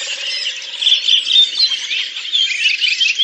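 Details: Collective song of a Redwing flock in Oka Nature Reserve, Russia, April 2019, at Lipovaya Gora: many birds chattering together in a continuous high, squeaky twittering mass with brief louder swells.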